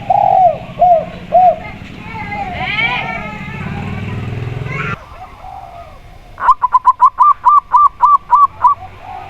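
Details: Local zebra dove (perkutut lokal) with a clear, open voice, giving a long, steady run of about twelve crisp, evenly spaced coos in the second half. The first half holds lower arched cooing from another dove, mixed with engine rumble and noise.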